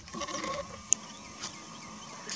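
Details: A Little Cormorant at Chandapur, Keibul Lamjao, on 27 November 2022 gives a brief nasal, bleating call under a second long, followed by a single sharp click and faint background hiss.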